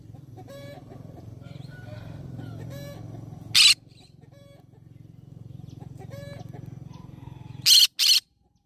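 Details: Green-cheeked conure letting out one harsh raspy screech, then a double screech several seconds later, over a steady low hum with faint clucking and chirping calls of other birds.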